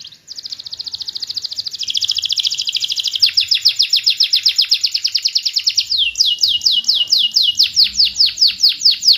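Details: Canary song used to encourage silent canaries to sing: a dense rapid trill of high notes that speeds up and then breaks into louder, slower repeated downward sweeps.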